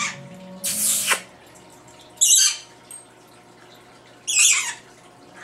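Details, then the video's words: Female pet lory imitating its owner and adding sounds of its own: three loud, rasping high squawks spaced about two seconds apart, each under half a second long, over a quiet room. "the talking Lory"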